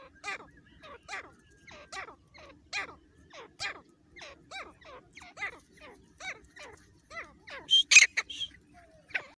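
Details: Partridge lure call for hunting in jungle: a steady series of short, hooked, descending notes about every half second, with a louder burst near the end over a faint hum.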